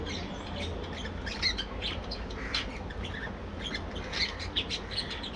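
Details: Aviary colony of budgerigars at morning play, a breeding flock producing rapid scratchy squawks and short chirps that overlap throughout, with several louder peaks, against a constant low hum.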